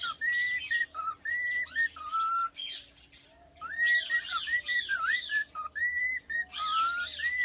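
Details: Three-year-old tame male cockatiel singing a serenade to its owner: bright warbled whistles that swoop and wobble, strung in rapid phrases with scratchy chatter between them and a short pause midway.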